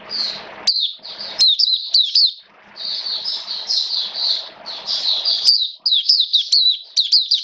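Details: Caged Oriental white-eye (mata puteh) in hobby keeping, kept in wet rainy weather with adjusted diet, singing in open song: sharp high chirps falling in pitch in quick bursts, mixed with buzzy warbled passages, low steady hum behind.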